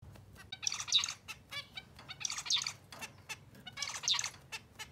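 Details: A zebra finch, newly paired with a prospective mate, sings short bursts of buzzy, nasal, stacked notes repeated about every second and a half.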